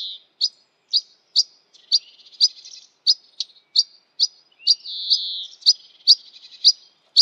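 A European pied flycatcher gives sharp, high 'pik' notes about twice a second, mixed with brief buzzy chatter; nothing else is heard.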